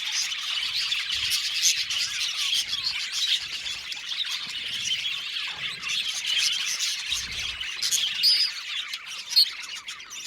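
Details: Budgerigar colony in an aviary, a busy mix of high chirps, squeals and warbling twitters, the chattering rising and falling over about ten seconds with a few sharper squeaks near the end.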